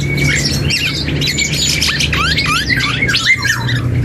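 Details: Juvenile black-and-yellow oriole learning its song, giving a fluty whistle followed by a quick series of looping, rising and falling slurred notes with scratchy overtones, over a low hum.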